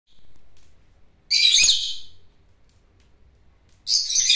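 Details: Flock call of the bird known locally as gislis. Two bursts of high, scratchy chirps are separated by a quiet gap of over two seconds.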